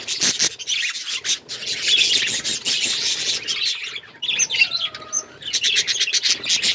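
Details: Tame pet budgerigars fill the air with loud, buzzy, high chatter and chirps; a short lull midway brings a few thin whistles before the chatter resumes.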